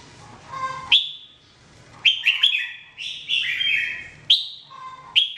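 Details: Red-whiskered bulbul in daily song training, giving loud sweeping whistles that drop sharply then run into bubbly warbled phrases, a soft lower hooting note in between, repeated in quick succession.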